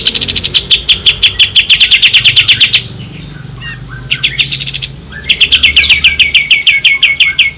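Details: Loud ringing song of an Ashy tailorbird, recorded as tutor material for songbirds: rapid series of sharp high notes, a pause with a short burst, then the repeated notes resume at an even pace.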